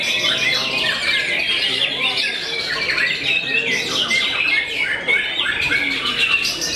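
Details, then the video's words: Loud, dense song of a white-rumped shama renowned for cowing rival birds: varied slurred whistles and fast chattering runs follow one another continuously, with sharp downward notes interspersed. "MURAI YANG TERKENAL BIKIN NGLOWO BANYAK MUSUHNYA"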